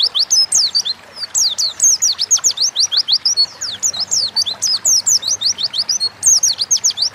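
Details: Oriental white-eye singing in energetic gacor ngalas style, a lure recording meant to prompt other birds to sing quickly: a continuous rapid stream of high, thin, sharply slurred whistled notes, several per second, with faint background hiss.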